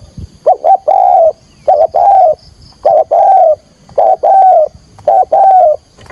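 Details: Captive decoy spotted dove cooing to lure wild birds for trapping; short two-part phrases, a couple of clipped notes then a long, mellow, slightly falling coo, repeated about every second and a half.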